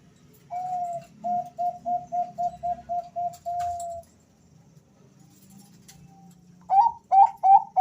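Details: One male Bangkok-strain zebra dove gives about ten evenly spaced coos ending in a longer note. After a quiet gap, the other male answers with rising, higher coos.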